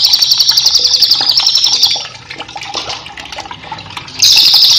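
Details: Cililin song for training captive birds: a pulsing high trill of about two seconds, then a lull of faint chirps and background noise before another loud trill starts.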